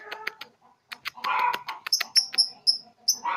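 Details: A young lovebird aged three months trying out ngekek chattering: jumbled harsh, scratchy notes and a grating buzz, followed by a string of thin, high squeaks and a rough closing note.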